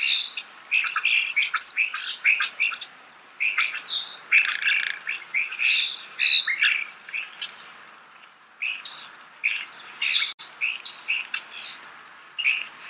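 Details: Close starling song: rapid chattering run of squeaky, scratchy and whistled notes, roughly two per second, with a short pause partway through before the chatter resumes.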